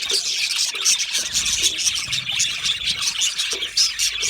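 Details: Australian budgies in an aviary give a steady, shrill chorus of chirps, with faint lower blips now and then beneath the dense high twittering.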